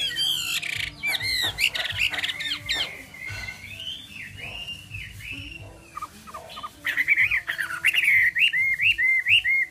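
A Chinese Hwamei sings loud, varied whistled phrases: rich slurred notes, then a run of quick repeated rising-and-falling whistles near the end, over a faint low hum.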